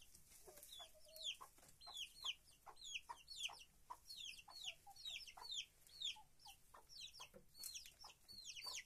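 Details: Hens in a henhouse, kept free-range in the countryside: a flock of high, thin peeps sliding downward, overlapping in dense succession, with a few lower, short tonal calls between them.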